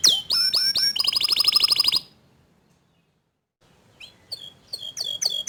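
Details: Canary song, young untrained birds reacting to a nonstop singer: a few loud upswept whistles and a fast buzzy trill, then over a second of silence, then sparse soft chips and rising notes resuming.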